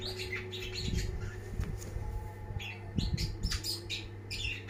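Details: Champion long-tailed shrike, locally cendet, in lively song. Quick squeaky chirps and raspy chatter come in clusters, with knocking thuds and a steady background hum.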